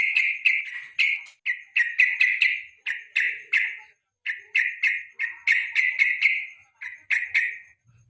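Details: Evening lure song of a yellow-vented bulbul for training competition songbirds: a fast series of short, rich, chattering bursts delivered in tight clusters, bright and slightly harsh, with only brief pauses.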